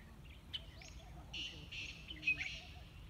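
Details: Sind Woodpecker (Dendrocopos assimilis) at Minab, Iran, 15 April 2019: a sharp note, then three or four harsh, buzzy bursts of high chatter within three seconds. A male Black Francolin sings in the background over a low rumble.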